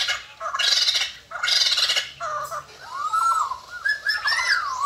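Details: White-crested laughingthrush, described as singing and dancing all day after eating geckos; loud bursts of harsh, rasping notes alternate with short whistled phrases and a clear rising-then-falling whistled slur near the end.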